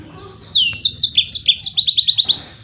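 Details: Yellow-fronted canary singing a 'tembakan' style song used as a master for training other songbirds: a brief burst of high slurred, descending notes followed by six rapid, evenly spaced rising chirps, over a quiet low background hum.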